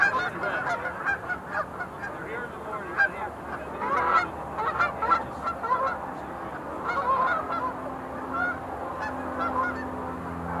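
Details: Sandhill cranes at the Montezuma National Wildlife Refuge Visitor Center pool on 20 November 2021 make a dense rolling chorus; a low steady hum enters in the second half.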